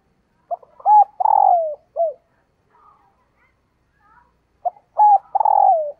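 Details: Female dove calling to attract males: short cooing phrases, a couple of brief hooked notes followed by a longer coo that falls in pitch, given in two bursts separated by a quiet gap with faint soft notes.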